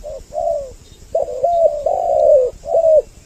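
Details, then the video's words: Two spotted doves cooing on a lure recording intended to bring males and females near; overlapping low, hollow notes run almost continuously, rising then dropping at each note's end. "Suara Pikat burung Tekukur Mp3 Doble Suara"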